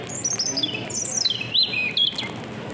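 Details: European robin trapped inside a supermarket in Sarzana, Italy, singing at full voice while surrounded by people; a thin, high warbled phrase sliding downward, rising briefly, then falling again over faint indoor background noise.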